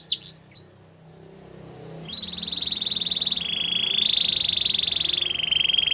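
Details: Russian canary training song: a few quick sweeping notes, a pause, then a long sustained high whistled roll that steps down slightly in pitch, over soft background hiss.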